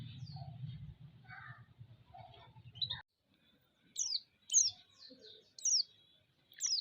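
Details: White-eye song played to provoke and excite other white-eyes: after three seconds of low rumbling and faint notes, sharp high descending whistles ring out in quick succession.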